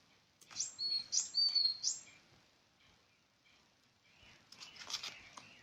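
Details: Bird chirping: a quick series of high, thin, sliding chirps over about a second and a half, then quiet, then a softer, scratchier burst of high notes near the end.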